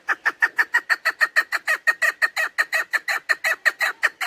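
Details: Continuous rapid clucking from a female chukar partridge, the call hunters use to attract birds, about three chuk notes per second, evenly repeated, clean with no background.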